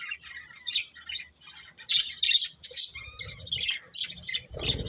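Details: Pet budgies give rapid, uneven bursts of shrill chirps and squawky notes, about two or three a second, ending with a soft low thud.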